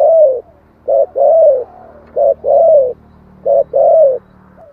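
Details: Spotted dove giving its decoy song in the thổ voice, used to draw wild doves quickly: three even phrases, each a brief coo and a longer arched, falling note, roughly every second and a half.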